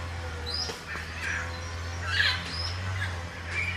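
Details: African grey parrots eating fruits give scattered harsh squawks and brief high whistles over a steady low rumble.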